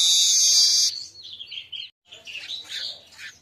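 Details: Midday song of an Asian golden weaver, used as a tutor and lure recording. A dense, hissing buzz is followed by short squeaky twitters, a gap, then a tumbling run of scratchy chatter.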